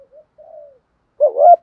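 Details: Spotted dove used as a lure bird: two soft, quiet coos, the second drawn out and sliding down, then one loud, wavering coo at the end.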